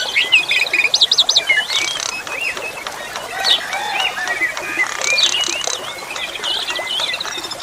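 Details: Asian pied starling (jalak suren) starting with a fast, rattling series of harsh notes, then shifting to mixed whistles and chirps, over flowing water.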